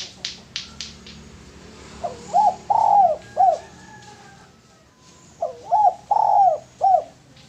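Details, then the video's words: Male spotted dove for luring: several sharp clicks, then two cooing phrases of short notes around a long drawn coo, each ending with a brief downslurred note. "Derkuku Tekukur Jantan Cocok Buat Pancingan"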